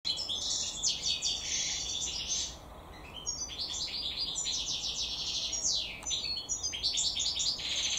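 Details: European goldfinch, kept and naturally bred as a cage bird, sings a fast, liquid twittering song of high tinkling notes and brief buzzy trills, nearly unbroken with short pauses.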